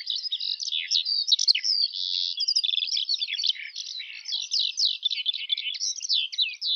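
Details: Eurasian skylark in continuous song, mixing sustained buzzy trills with quick chirps and rising and falling whistled notes in a fast, tumbling flow.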